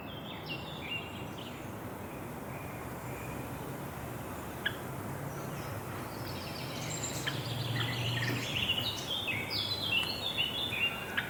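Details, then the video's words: Java sparrows give bright, clipped chips and twittering notes, thickening in the second half, over a steady low hum of background noise. "JAVA SPARROWS JAVA BIRDS"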